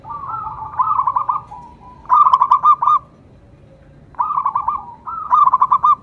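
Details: Singing local zebra dove, Indonesia: four short rolling phrases of rapid, bubbling coo notes, each starting softer and ending in crisp staccato beats, separated by brief pauses over a low steady hum.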